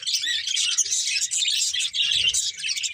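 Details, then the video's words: Budgerigars, a breeding pair kept as pets, chirping continuously: dense, high, scratchy warbling chatter with brief pauses, several overlapping twittering voices throughout. "Colourful Budgies Chirping Sounds"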